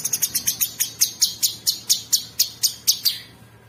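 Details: Sooty-headed bulbul song used as masteran training audio for champion songbirds, coarse rapid 'ngebren' filler: a fast series of sharp, high, buzzy chips, about four per second, slowing slightly and fading at the end.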